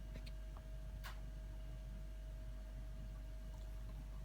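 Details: Only a steady low rumble and a faint constant hum with one brief click; no animal calls are heard.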